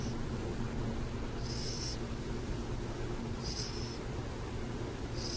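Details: Burrowing owls in San Jose: harsh hissing screeches, four bursts roughly two seconds apart, the loudest near the start, above a persistent low hum.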